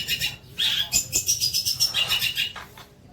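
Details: Short long-tailed shrike song phrase used to train young shrikes: a quick run of high, bright, rapidly repeated notes with whistled inflections, fading out toward the end.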